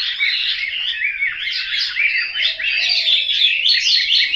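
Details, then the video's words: Chinese hwamei kept caged at a home in Hanoi, Vietnam, pouring out a continuous, loud, varied song of quick slurred whistles and warbles with no pauses. "Họa mi"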